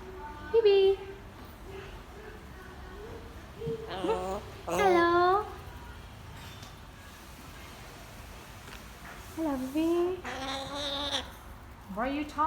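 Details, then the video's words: Pet Grey parrot indoors saying hello: several voiced, speech-like utterances with gliding, rich harmonic pitch, spaced a few seconds apart, with quiet room noise between them and a woman's voice nearby. "Grey Parrot say Hello"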